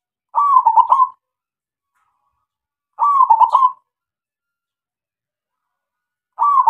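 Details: Lure song of a local zebra dove to make quiet doves answer: three loud trilled coo phrases repeated about every three seconds, each a rapid run of pulsed notes with silence between.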